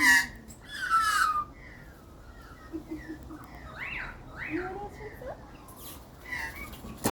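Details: Australian magpie, a wild bird being hand-fed in Australia, gives soft fluting notes that rise and fall, a few in quick succession, after a person speaks briefly.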